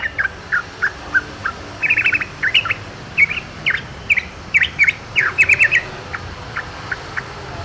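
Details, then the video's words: Yellow-vented bulbul heard in the wild: a steady series of short, liquid chirped notes, building into quick bubbly clusters midway, then thinning to spaced single notes against a quiet natural backdrop. "KICAU TRUCUKAN DI ALAM LIAR"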